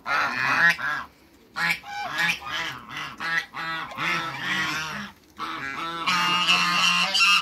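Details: Domestic African geese, two males with one female, in a backyard honk almost continuously, harsh overlapping calls with brief lulls near two and five seconds.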